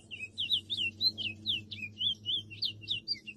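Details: Wild chestnut-bellied seed finch singing loose in nature, a lively string of pure whistled slurs, some rising and some falling, delivered in quick succession with a faint low hum beneath.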